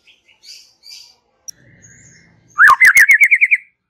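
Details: White-rumped shama song, relaxed style: after soft faint notes, a loud burst of rapid wavy notes begins with a rising slur, punctuated by sharp clicks.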